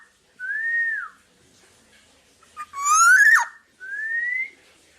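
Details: Black-naped Oriole singing as a training model for other birds: a smooth arched whistle, a brassy upward-sweeping nasal note, then a gently rising clear whistle, in a quiet background.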